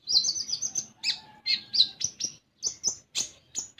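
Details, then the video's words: Common iora lure song for untrained young birds: a rapid rolling trill of high chirps, then spaced bright notes, some with a thin lower whistle beneath, in short bursts. "Konin Bahan Dijamin Langsung Bunyi"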